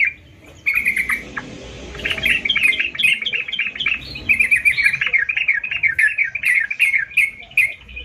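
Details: Sooty-headed bulbul in full song: a rattling burst, a pause, then a long, lively chain of quick bubbly notes and short trills over a low background hum.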